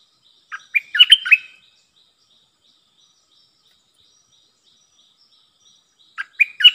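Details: Captive Streak-eared bulbul decoy, kept to lure wild bulbuls and coach young birds, sings a rapid chattering whistled phrase, then falls silent for several seconds before starting another phrase at the end.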